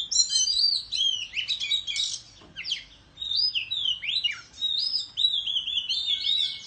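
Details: Oriental magpie-robin in countryside singing in a competitive bout while fanning its tail; rapid varied whistles and sweeping slurred notes in bursts separated by short pauses, loud and clear with little background.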